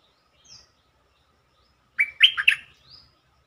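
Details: Bulbul lure song meant to excite birds: after a faint thin note, one bright, quick phrase of four or five bubbling notes, ending in a soft upslurred whistle.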